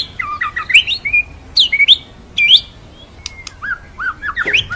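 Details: Murai batu, the white-rumped shama, in a masteran tutor recording with full ngerol and nembak: varied whistled phrases, low fluty notes, sharp rising slurs and squeaky chips in an irregular, mimic-like sequence.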